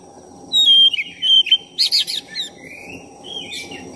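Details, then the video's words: Lively black-breasted oriental magpie-robin song used to rile up another magpie-robin: loud, pure whistles held briefly, then a burst of rapid harsh chattering notes, followed by softer falling whistled slurs, with a low constant hum behind. "Pancingan suara kacer dada hitam gacor efektif buat menaikkan emosi Kacer"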